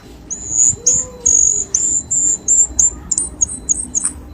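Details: Pikatan, or lure sound, of the cucak keling for prompting kept birds to sing: a string of very high, clear, level whistles, about two a second, rising into quicker chirps toward the end.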